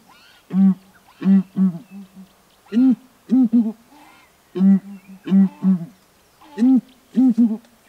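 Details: Southern ground hornbills perched on a branch in Kruger National Park boom in duet: deep, hollow hoots in groups of three, each phrase repeating about every two seconds, with nothing else competing.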